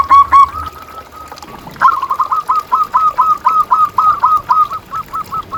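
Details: Zebra dove used as master song for quiet caged perkutut: a brief loud coo, a hush, then a steady string of about fifteen clipped rolling notes at an even pace.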